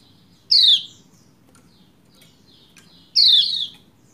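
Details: Female Lombok white-eye calling to a male to prompt him into full song; two sharp, down-slurred high chirps, about two and a half seconds apart, with quiet low background hum.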